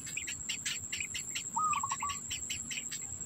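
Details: Black bittern at its nest, food in its mouth for its young: a single clipped call, a steady note running into a short stammering trill, over rhythmic insect chirping and a high steady buzz.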